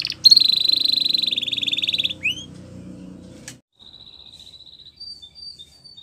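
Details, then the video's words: Belgian canary tutor song for young canaries: a steady, fast, rolling trill for two seconds, then a few short upslurred notes and faint, distant trilling. "Canary Teacher For Your Preschool Canary!! Belgian Canary Singing"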